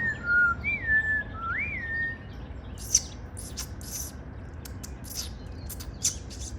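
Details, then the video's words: Bird singing in the morning while building its spring nest: three clear whistled notes, each sliding up then down, in the first two seconds, followed by scattered faint clicks and ticks over steady low background noise. "Morning sing along with beautiful bird while building his or her spring nest."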